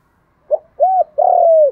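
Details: Spotted dove in the 'đồng thổ' voice style, used to lure other doves, gives a short low note, a hollow arched coo, then a long level coo that slides down at the end.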